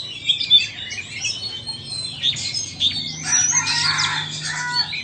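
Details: Singing contest between a Vietnamese and an Indonesian Oriental magpie-robin: high thin whistles and scratchy twitters, swelling after three seconds into a busy, overlapping warble with a faint low hum underneath.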